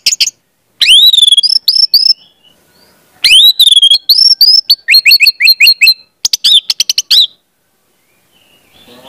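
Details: Orange-headed thrush song for training young spotted birds to sing. Long, dense runs of loud, high, slurred whistles and quick repeated chips pour out with only short gaps, several notes dropping steeply after a sharp start.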